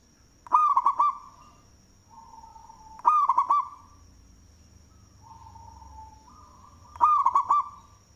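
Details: Loud cooing of a local zebra dove kept as a lure bird: each phrase opens with a faint drawn-out coo, then breaks into a burst of four or five quick, resonant coos, three phrases spaced a few seconds apart.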